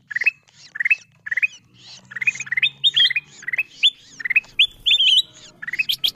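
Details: Ruby-throated bulbul calls used as a lure for wild birds: separated phrases of short upslurred whistles, growing busier and overlapping midway, over a quiet low hum.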